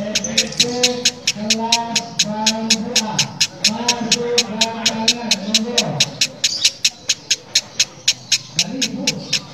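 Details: A female lovebird makes a rough, engine-like cackle: rapid regular ticking pulses, around four each second, running continuously while deeper humming tones rise and fall underneath.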